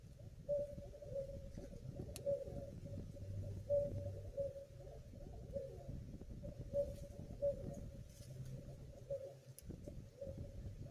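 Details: Barred owl left home alone, recorded 26 January 2019: faint, short hoots at a steady pitch, spaced irregularly, over a low background rumble with a few sharp clicks.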